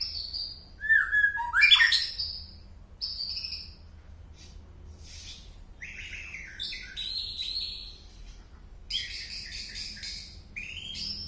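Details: Unusual song of a white-rumped shama from Penaron, East Aceh: varied rich phrases of whistles, rapid sweeps and high buzzy notes, louder at first, then softer scattered phrases.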